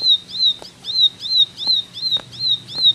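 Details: Short burst of ciblek 'tembakan' song: seven arched whistled notes in three seconds, slightly uneven in timing, with clicks and a faint low hum.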